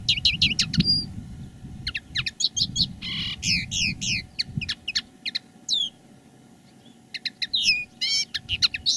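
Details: Caged decoy common linnet singing live, one of two birds in different styles: rapid twittering phrases, downslurred chirps and short buzzy trills in quick bursts, with a steady low hum behind.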